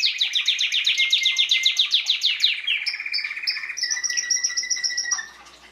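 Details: Belgian canary in 2016, 'bagassando' song used to train chicks; a fast rattling trill of sweeping notes, then a lower buzzy roll, then sustained high whistled tones fading out.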